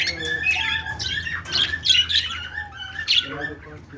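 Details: Happy budgies chirping: bursts of sharp, high squeaky chirps and scratchy squawks come in clusters about every half second to second, with brief quieter gaps and a faint low hum.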